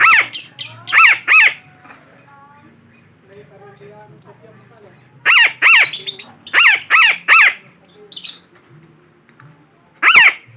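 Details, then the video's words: Lure call of a parakeet for trapping: strings of loud, harsh, rasping squawks in rapid series of three to four, broken by thin high chirps and softer notes, over a quiet background. "Suara Pemikat Burung Betet yang Sangat Ampuh"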